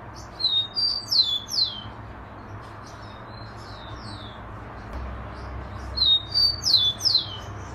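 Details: Rufous-collared sparrow (chingolo) singing: a high, sweet phrase of a few clear whistled notes followed by quick descending slurred notes. The phrase is repeated about every five seconds over a steady low rumble of background noise.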